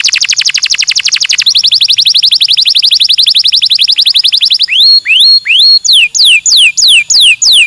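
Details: A loud electronic alarm of rapid repeated beeps gives way to slower, repeated rising sweeping tones, with no animal heard.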